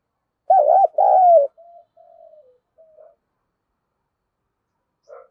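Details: Spotted dove cooing to provoke a fight and lure wild birds close: one loud phrase of a pulsing note and a drawn-out falling coo, followed by several quiet, low trailing coos, then near silence.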